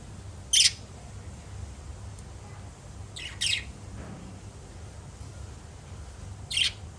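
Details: Pet lovebirds chirping: three short, shrill, harsh chirps spaced about three seconds apart, the middle one a quick double, with a faint low hum and quiet room background between calls.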